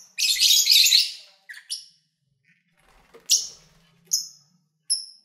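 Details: February 2019 recording of pet lovebirds eating and playing: a long grating squawky burst opens, followed by a few short, thin, high whistled chirps spaced about a second apart.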